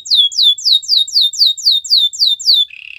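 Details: White canary performing a training song: a quick run of about nine bright whistled notes, each sliding downward, delivered roughly three per second, then cut off by a short low buzzy trill.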